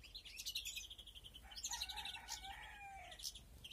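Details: Aviary-bred European greenfinches, 2021, with quick high chirps and trills overlaid by several drawn-out lower whistles that slide gently down.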